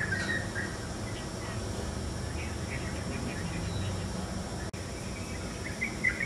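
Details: Yellow-vented bulbul, recorded early in the morning, giving short bubbly chirps in a few scattered bursts over a steady low rumble of traffic.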